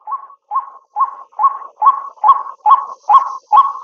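A White-breasted Waterhen gives nine harsh, croaking mid-pitched notes, about two per second, in a steady series that grows slightly louder. No other sounds are heard.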